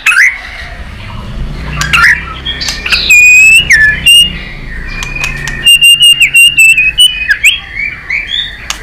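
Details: Competitive singing by a white-rumped shama: clear steady whistles and wavering slurred notes broken by sharp clicking bursts, with a low background hum.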